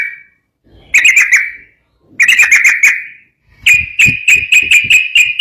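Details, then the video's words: Sooty-headed bulbul singing as a training lure for other bulbuls: three separate bursts of quick chattering whistled notes, each run of four to six notes trailing off, with faint low background rumble. "trucuk ropel gacor cocok buat pancingan burung trucukan bahan"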